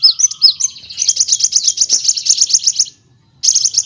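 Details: Van Hasselt's sunbird (kolibri wulung) in a training recording for other cagebirds, with nyrecet, nembak and ngerol styles: high thin chirps, then a fast, even, rolling trill of sharp notes, a brief pause and the trill again.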